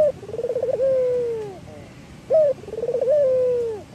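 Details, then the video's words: Male local Barbary dove, a frequent singer, cooing: a short sharp opening note, then a rapid pulsed trill running into a long, steady, slightly falling coo. The phrase repeats twice over a low background hum. "Suara Burung Puter Gacor , merangsang burung puter agar bunyi | burung puter Lokal jantan gacor ."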